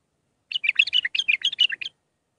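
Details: Mandali-style bulbul song for training youngsters: a continuous, fast string of about twelve rich, slurred whistles jumping up and down in pitch, clean and without other sounds.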